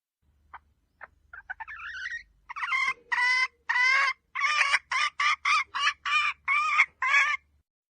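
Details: Female red junglefowl used to lure birds in: faint scattered notes grow into rising calls, then a clear series of harsh, nasal clucks, with a low hum beneath.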